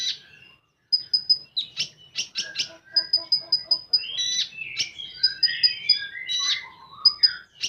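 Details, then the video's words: Common iora song in the 'full tembakan' style: dense, varied sequence of high clipped notes in fast triplets and longer runs, rasping bursts, and lower wavering whistles that drop in pitch near the end. "Burung Konin Full Tembakan"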